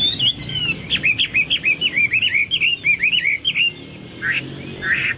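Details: Chinese hwamei singing, compared with Papuan or golden bulbul song: a lively, evenly paced series of short curling whistled notes, about three per second, ending with a couple of harsher bursts.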